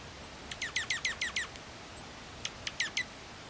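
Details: Dark-eyed junco eating sunflower seeds in winter gives quick, high, sharp chips in two bursts, six in rapid succession, then four more after a pause. Faint background hiss.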